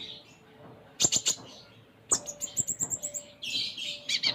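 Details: Konin, the Ruby-cheeked sunbird, in lively full isian song: bursts of very high sharp ticks and rapid twittering notes, ending in a buzzy scratchy phrase, over a faint steady hum.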